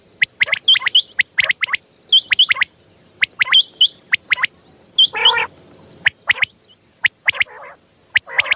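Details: Common quail recorded at night for luring quail during hunting. Short, sharp triple-note phrases repeat about once a second, with a few rougher, gargling notes between them.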